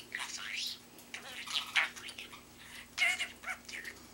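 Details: Indoor pet budgie with a big mimicked vocabulary of human phrases; a few scratchy, whispered word-like bursts separated by quiet gaps, with one sharper squeak partway through.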